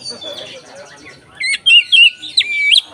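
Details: Oriental magpie-robin 'ngeplong' lure song: after a faint, quiet start, a few loud, clear whistled notes with wavering pitch ring out in quick succession.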